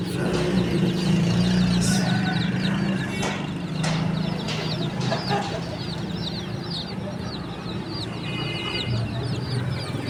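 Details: Baby chickens chirping softly in a steady high-pitched chatter of short peeps, interrupted by several loud clicks and bangs, with a strong low droning hum throughout.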